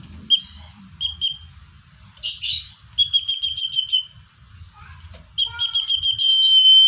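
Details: Common iora heard naturally, used to draw in wild birds: short whistled notes and a run of pulsed notes ending in a level whistle. Scratchy chirps and rustling noises are mixed in.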